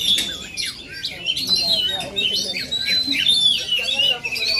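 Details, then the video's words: Oriental magpie-robin of Aceh origin singing bright, varied whistles, some sliding notes and quick twittering runs, over faint background voices. "Aksi kacer asli aceh"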